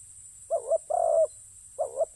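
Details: Spotted dove, ground decoy context, gives low mellow coos: a short note followed by a longer, slightly quavering coo, then the phrase starting again, against near silence.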